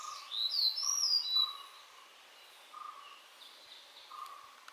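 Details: A Nilgiri blue robin (Sholicola major) sings a high, squeaky phrase of quick sliding whistles, then a few softer thin notes; a low steady tone comes and goes beneath.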